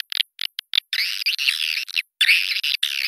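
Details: Swiftlet lure call used to attract swiftlets to a bird house: dense high chattering twitters in short bursts and longer continuous stretches, sharply cut with silent gaps.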